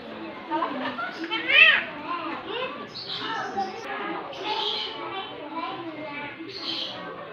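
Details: Javan myna (Acridotheres javanicus) mimics human speech, calling "mama" in a run of voice-like, childlike syllables with squeaky, whistled notes mixed in, over a busy indoor background.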